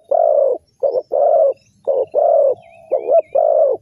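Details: Spotted dove used as a lure to draw wild doves into a trap: a run of about seven mellow, hoarse coos in under four seconds, some notes doubled, with faint thin chirps of other birds higher above.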